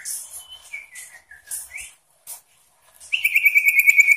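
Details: {'caption': 'Sooty-headed bulbul singing to provoke rival birds: several short, varied whistled notes rising and falling, a pause, then a loud rapid trill of even buzzy pulses.'}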